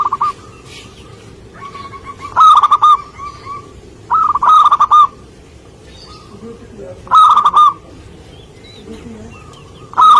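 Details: Energetic local zebra dove near bird traps: loud bursts of rapid coos about every two seconds, with softer calls and faint low chatter between them.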